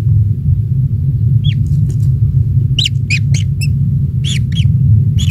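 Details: Small kingfisher chick, the only one hatched, calling from the nest while being fed insects by its parent; bursts of brief curved chirps, some in quick pairs, over constant low rumbling background noise.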